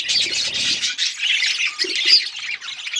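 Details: Several budgerigars chatter in a steady stream of shrill, buzzy chirps and short squawks, voices overlapping throughout, with a few brief lower clicks in the background.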